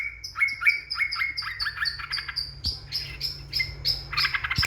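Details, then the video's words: A yellow-vented bulbul sings as a provocation lure for rivals: quick series of bright, descending chirps with a high sharp overtone, repeated almost four times a second, then louder jumbled chatter. "Pancingan burung trucukan yg bikin emosi lawan.."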